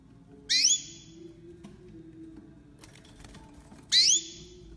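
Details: Canary hybrid, the offspring of a male Mozambique green singing finch and a female crested canary, bred in 2020, giving two sharp rising chirps with a thin level tail about three and a half seconds apart, with faint room hum.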